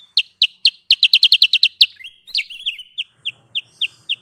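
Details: Sooty-headed bulbul lure call used in bird trapping. A quick volley of sharp, high chips is followed by a twittering phrase, then evenly spaced single chirps about every quarter second, with a faint low hum.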